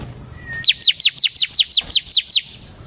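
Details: Energetic Bar-winged prinia, a ciblek semi, delivering its 'ngebren' song: a brisk, regular string of about eleven high, bright notes, each sliding sharply downward, with faint background hiss.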